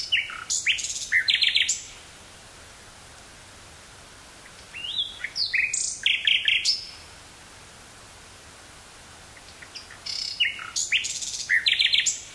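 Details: Nightingale in woods near Burgh-Haamstede, Netherlands, recorded on 18 May 1983 with a portable cassette recorder: three separate phrases of loud, varied chirps and rattling notes, each about two seconds long and separated by quiet gaps.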